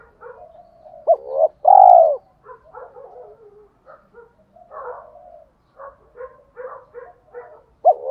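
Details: Spotted dove cooing in the mixed thổ-đồng voice style, used to excite decoy doves into cooing quickly. Two loud low hooked coos near the start and one at the end, with softer mumbled cooing notes in between.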